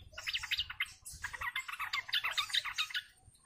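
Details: Lure recording of sooty-headed bulbuls calling as a group (ombyokan): continuous overlapping bubbly, chattering notes from several birds throughout, over a low background rumble.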